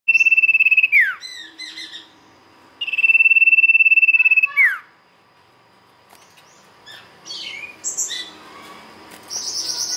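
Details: Sirtu song played as a lure: a fast, even, high pulsed trill lasting about two seconds ends in a quick falling sweep, given twice, followed by scattered high chirps from other birds.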